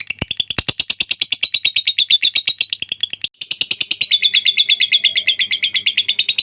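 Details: Long ngekek trill from a lovebird in a tutor recording for training birds. Dense, fast, high chattering pulses run for about three seconds, break off briefly, then resume just as rapidly until the end.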